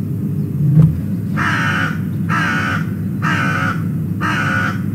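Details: Raven at the Glaslyn osprey nest in Wales giving loud, harsh calls as the osprey flies off: four hoarse, drawn-out notes about one second apart, over a steady low rumble from the nest camera.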